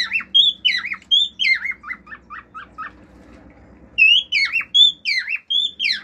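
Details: A male cockatiel sings natural songs with fiu-fiu whistles: looping rising-falling whistles running into short chirps, a pause, then another whistled phrase.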